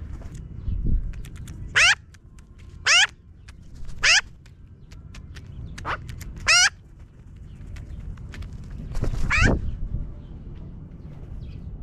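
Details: Magpies flying down from a tree give loud, harsh, grating calls, repeated irregularly about once a second, each a rasping burst with many overtones, over a faint low background rumble.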